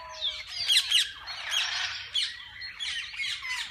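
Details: Mixed parakeets in a walk-in aviary of a parrot zoo where people feed and hold them; loud bursts of raspy squawking and sharp chirps from a crowded flock, swelling and easing over a few seconds.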